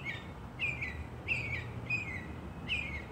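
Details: Northern Mockingbird in a neighbour's holly tree in New Jersey in spring sings short, clear, slurred phrases about twice a second, each with a bright downward twist, over a low steady background rumble.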